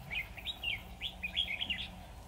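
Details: Decoy red-whiskered bulbul singing beside a trap to call in a wild bird: a rapid run of chirpy, liquid warbling notes delivered almost without pause.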